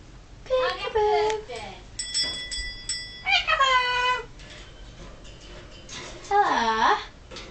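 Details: A 3-year-old male pet yellow-fronted amazon talks indoors in four bursts of harsh, speech-like phrases, with one steady whistled note between them, amid a peekaboo and happy-birthday talking-and-singing session.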